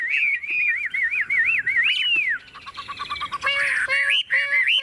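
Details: Tame caged Chinese hwamei in full song: a string of wavering, rolling whistles and a long arching slur, then lower, nasal repeated notes mixed with bright whistled fragments.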